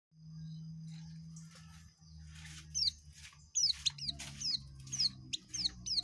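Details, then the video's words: Oriental white-eye (pleci) in ngekek style, continuous rapid song: after a quiet start, high thin downslurred notes come in quick bursts over a steady low hum. "Burung pleci ngekek"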